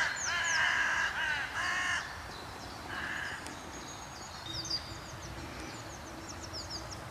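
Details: Carrion crows in uproar about something unseen, perhaps disturbed by a kite, in a territory in the Voßmoor on 17 April 2023: loud harsh cawing in a rapid burst over two seconds, one more caw, then thin chirps of small birds.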